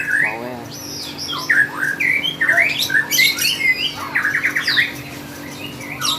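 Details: Lovebird in contest singing, dense excited chatter of sharp rising and falling chirps, scratchy squawks and fast trilled runs, loud and nearly unbroken, with a low steady hum in the room.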